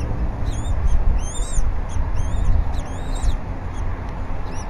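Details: Wild bald eagles at a nest camera at Berry College on 20 February 2019, mid-morning, as the male brings a half-eaten fish and the female feeds the eaglet: thin high chirps with sliding overtones, in short bursts, over steady low rumbling wind.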